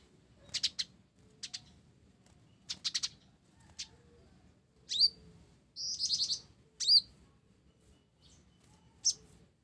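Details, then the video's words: High, dry chirps from a blorok olive-backed sunbird singing actively with a sparrow-style fill, in uneven clusters, with a harsher buzzy burst midway and several upswept whistled notes. "Kolibri Ninja Blorok Gacor isian Gereja"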